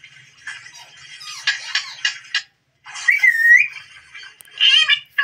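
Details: Green desi parrot playing before a mirror makes raspy chattering bursts, a pause, then a smooth whistled note and more scratchy squawks.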